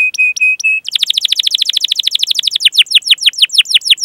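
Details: Canary training song aimed at juvenile and silent birds: four steady clear whistles, then a rapid continuous roll of sharp descending chirps, repeated many times per second.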